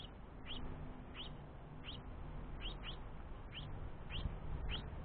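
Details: A young house finch begs its father for food, giving thin, rising chirps repeated about every half second, over a steady low rumble.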